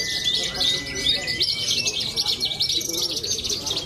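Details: Young male-contest branjangan (Horsfield's bush lark) singing at a songbird contest, Cilacap, Indonesia; dense, fast chattering and buzzy trills packed high, with a steady thin whistled tone running through and faint voices behind.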